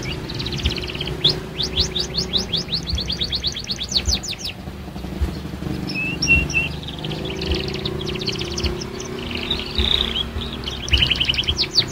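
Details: Young canary practising its song: rapid trills of short repeated notes, a few brief whistled notes midway, then another fast trill, with constant low rumbling noise beneath.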